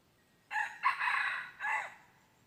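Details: Crow of a red junglefowl, recorded 23 January 2022 while wild junglefowl were decoyed: an abrupt start, a brief break, a long harsh central stretch and a shorter closing phrase that tails off. The background stays still.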